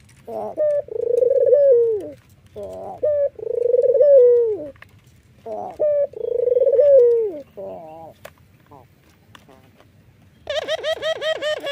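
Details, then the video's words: White Barbary dove with red eyes nodding and laughing: three phrases of a clipped note and a pulsed, falling coo, then a rapid series of brighter, higher repeated notes near the end. "PUTER manapun pasti RESPON kalau sudah dengar suara puter putih mata merah ini ngangguk dan tertawa"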